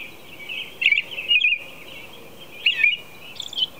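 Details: American robin singing at 4:00 a.m., clear whistled phrases in pairs, each bending up then down, followed by a higher fading note, over a continuous high background hum.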